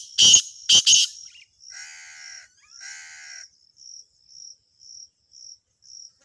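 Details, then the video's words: Black francolin calling on a river corner: two harsh, grating notes with layered harmonics, each under a second long. Loud broadband bursts come at the start, and a steady high chirping is repeated throughout. "Black francolin voice on River corner"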